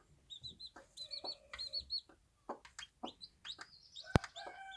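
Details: Bantam hen with her chicks on a small farm: short low clucks mixed with high, thin chick peeps in quick clusters, plus a sharp knock near the end.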